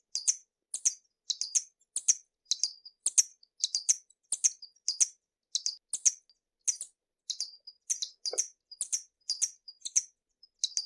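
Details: Hummingbird giving a fast, continuous series of paired high twittering chips, about two per second, busy and unbroken.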